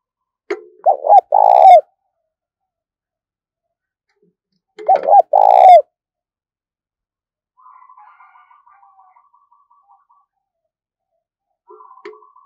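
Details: Spotted dove decoy calling to attract wild doves; two deep rolling coo phrases about four seconds apart, followed by a faint buzzy higher trill and light clicks.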